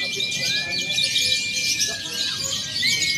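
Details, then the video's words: Lovebirds in a simulated free-action singing contest mixing konslet, fighter and paud styles, used to train birds before competing: dense, continuous high chattering trills from many birds, with thin, steady whistled tones sliding in and out. "SIMULASI LOMBA LOVEBIRD BEBAS AKSI (KONSLET, FIHGTER, PAUD)"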